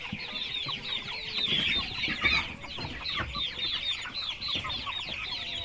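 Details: A brood of baby chicks chirping in a thick, high chorus of short rising-falling peeps, steady throughout, with scattered low bumps and rustling beneath.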